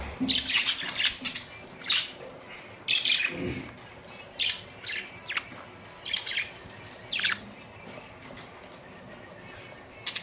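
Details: Budgies recorded on April 19, 2023, chattering in bursts of rapid high, scratchy chirps and warbles, with brief pauses between clusters of notes.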